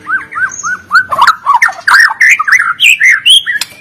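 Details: Caged white-rumped shama from Medan in lively fighter-style song, used to coax lazy birds into singing: rapid run of loud whistled, slurred and warbled notes, some harsh bursts, packed closely over a few seconds.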